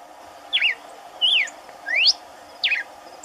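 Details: Red-cowled cardinal in the caatinga, one singing in the background as another eats corn; four clear whistled phrases, alternating falling wavy notes and rising slurs, roughly every two-thirds of a second, with constant low hiss behind.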